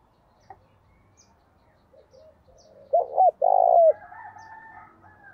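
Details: Lure spotted dove calling in gáy gọi and thúc style to attract wild doves; quiet background coos, then a sharp pair of short coos and a long drawn coo bending down, followed by fainter answering cooing.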